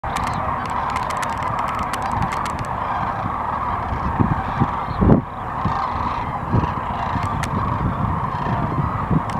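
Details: A large flock of sandhill cranes, feeding, dancing and flying at Gibbon, Nebraska during the 2016 migration, calls in a steady chorus of rolling, honking bugles, with a few low thumps partway through.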